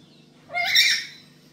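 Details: Black-capped lory at home, recorded as a lure for training other birds: a single harsh, grating screech swelling and fading over about half a second, with a steady low hum behind it.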